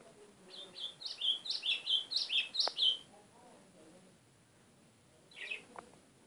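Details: White-throated seedeater song: a quick run of about eight short, bright, down-slurred chirps over two and a half seconds, then a pause and one faint later note against quiet background hiss.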